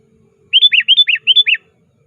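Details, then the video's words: Sooty-headed bulbul calling to a rival as a trapping lure: one crisp phrase of six rolling, looping notes in three pairs, each pair rising then dropping, delivered in about a second against near silence. "Suara Burung Kutilang Gacor Aktif Memanggil Lawan"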